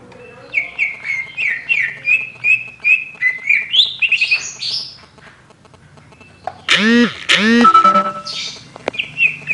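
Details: Oriental magpie-robin song in the ngobra style: a fast string of repeated upslurred whistles, then a pause and loud sweeping arched notes mixed with scratchy harsh sounds.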